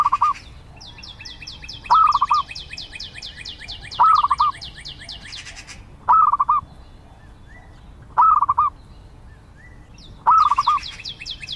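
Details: Zebra dove repeating a short phrase of rapid, soft staccato coos about every two seconds, six phrases in all. Another bird sings a fast run of high, descending whistled notes in the background.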